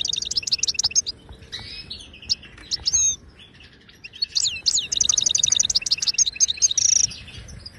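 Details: European goldfinch of the Moroccan wild type in Widani-style song, played to tutor caged birds: bursts of quick high twitters and slurred whistles, a quieter gap, then a long fast trill with sweeping notes.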